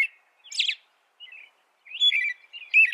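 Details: American robin song in fragments: a harsh, hissy high note, a soft short warble, then a longer run of slurred whistled notes with a brighter high accent near the end.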